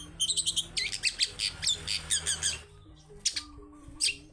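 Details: Long-tailed shrike (cendet pilis), lively wild-style song used as a lure for reluctant birds: rapid run of sharp, high chattering notes for two and a half seconds, a pause, then a few isolated squeaky notes over faint low hum.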